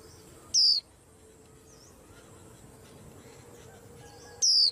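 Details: A white-eye in a rack of cage birds, said to set the whole rack astir, gives two piercing, thin downslurred whistles nearly four seconds apart, with a faint hiss and low hum between them.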